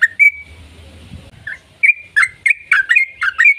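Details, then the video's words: Yellow-vented bulbul giving a long 'ropel' lure song to prompt other bulbuls. One drawn-out whistle, a quiet pause, then a quick burst of chattering whistled notes. "PANCINGAN TRUCUKAN AGAR BUNYI burung TRUCUKAN GACOR ropel panjang"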